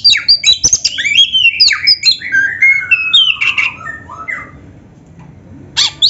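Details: Lively black-breasted magpie-robin song mixed with canary-style phrases, used to spur other magpie-robins to sing: fast tumbling whistles and squeaky notes, sliding downward, fading into quiet before a final burst.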